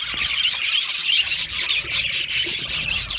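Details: Rapid raspy twittering from budgies, fast overlapping chirps and bright short whistles forming an unbroken, grating stream of high chatter.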